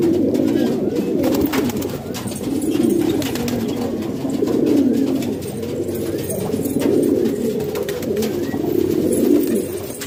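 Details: Pigeons in a house in Pakistan produce continuous deep cooing in waves that rise and ease every couple of seconds, with scattered clicks and shuffling.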